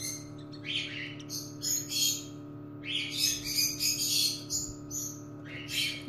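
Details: Newly hatching cockatiel chick, a female that was stuck to its egg and helped to emerge; clusters of high, harsh chirps repeated quickly with short pauses, steady low hum underneath.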